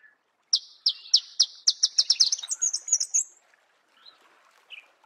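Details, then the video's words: Marico sunbird in natural habitat giving a fast, high twittering song: rapid repeated sharp notes around three seconds long, speeding into a jumbled run, followed by faint softer chirps. "Marico Sunbird"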